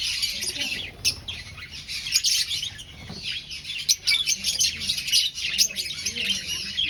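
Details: A breeding aviary finch colony, birds finding a nest, chatters steadily with bright overlapping high chirps and twitters throughout, in a busy chorus.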